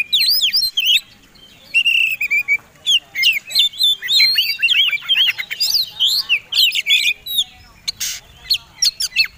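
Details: Oriental magpie-robin combination song, fighting style, used to spur other birds to sing: long runs of varied whistles, chips and twisting slurs in quick succession, with brief quieter stretches.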